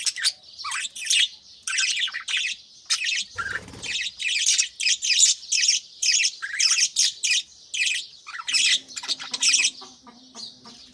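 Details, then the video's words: Pet budgerigars chirping in the early morning, kept with chicks in nest pots: a dense run of bright, scratchy chirps and squawky notes in quick bursts, with a brief low rumble near the middle and a faint hum toward the end. "بجریز کی خوبصورت صبح 🦜Beautiful Morning Vibes & Chirping Sounds"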